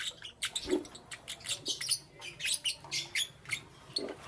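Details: Lovebirds chirping in the morning: steady stream of short, high, scratchy chirps repeating several times a second, some with a lower squeaky note.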